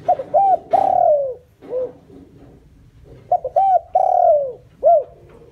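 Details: Decoy spotted dove's luring call for wild doves. Two phrases of short notes, a long falling coo and a brief arched note, with a faint low hum underneath.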